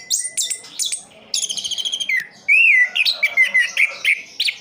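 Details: Kept Orange-headed thrush in East Java gives high whistles, a fast, even trill of repeated notes, then a rich, arching whistle followed by quick varied chirps.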